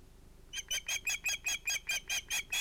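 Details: An osprey at its nest in Finland at sunset on 11 August 2018 gives a fast series of about ten shrill, squealing notes, roughly five per second, evenly spaced and high-pitched, over a quiet background.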